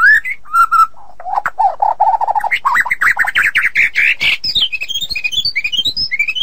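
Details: White-rumped shama song used for tutoring songbirds: low slurred whistles and a rapid low rattle that climbs into a fast, rising, scratchy chatter, finishing with a chain of high sweet whistled notes.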